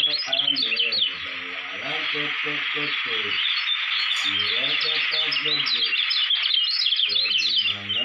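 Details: Lombok white-eye, a contest-champion prospect, pours out a dense, unbroken high twittering chatter of quick rising and falling notes. Short bursts of lower, buzzy harmonic pulses come in and out underneath.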